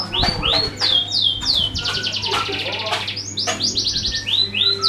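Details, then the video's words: Canary, sung as a lure to make other birds sing: bright swooping notes slurring downward, then a dense buzzing trill, then more quick chirp series, over a constant low electrical hum. "Suara kenari buat pancingan burung lain"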